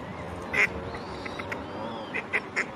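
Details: Female mallard calling at Strandbad Blies, Ludwigshafen am Rhein: one loud nasal quack, then three shorter, quieter quacks in quick succession near the end, over steady low background noise.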